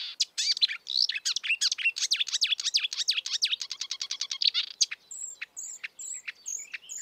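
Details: Marsh warbler, called kerak basi, in natural surroundings giving a rapid run of swooping chirps that speeds into a fast trill, then several thin high whistles at the end.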